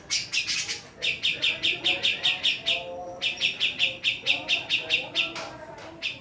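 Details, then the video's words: Female Javan cucak jenggot producing long trains of crisp, high, evenly repeated chirps, about three per second, broken by a brief pause around the third second; faint lower warbling tones in the background. "Cucak Jenggot Jawa Betina"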